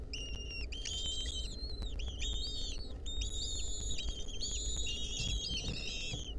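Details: Wild lesser kestrel nestlings calling in a nest while a centipede clings to them, recorded in 2023: overlapping thin, wavering whistled notes, some rising and falling, held for a second or more, over a steady low rumble.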